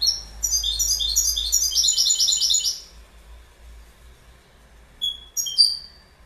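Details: Goldfinch delivering a dense, jingling twitter of quick high notes for about three seconds, followed after a pause by a few separate sharp tweets.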